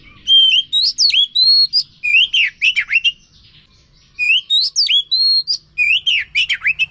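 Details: Oriental magpie-robin song meant to stimulate a bird that has stopped singing: loud repeated phrases of clear whistles and downward-swooping notes, two long bursts split by a pause.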